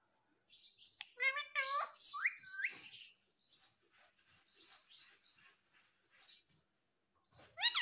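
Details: Green Indian ringneck parakeet mimicking speech: a short burst of stacked, warbling word-like syllables. Scattered soft high chirps follow, and a sharp rising phrase comes at the close.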